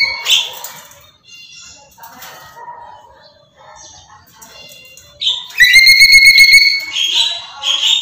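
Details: Vocal Black-capped lory screaming nonstop: scattered harsh squawks and soft chatter, then a long loud level whistle with a buzzy pulse, followed by more raspy screeches.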